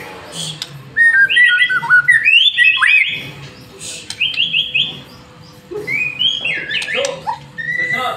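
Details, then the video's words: White-rumped shama song meant to coax other birds into singing: bursts of fast warbled whistles and chattering phrases separated by quieter gaps, with a low background hum. "Murai Batu Masteran sekali Pancing Langsung GACOR"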